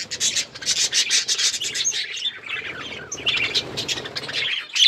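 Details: Tame pet budgies produce a dense, rasping stream of high chirps and chattering warbles, pulsing rapidly throughout with a short softer stretch midway.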